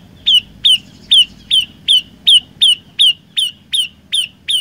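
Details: Olive-backed tailorbird singing vigorously: eleven loud, sharp, slightly downslurred chip notes, evenly repeated a little over twice per second, with a faint low rumble underneath.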